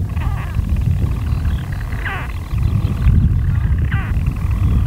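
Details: Daytime calls of European storm petrels in their nest burrows, Skokholm island, Pembrokeshire, Wales, 5 June 2013: faint purring with two quick swooping hiccup notes about two seconds apart, beneath strong low-pitched wind noise.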